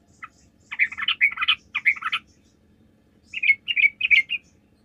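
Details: Sooty-headed bulbul song played as a lure so other bulbuls respond: a dense, chattering burst of tumbling bubbly notes, a short pause, then four cleaner whistled phrases in a quick row.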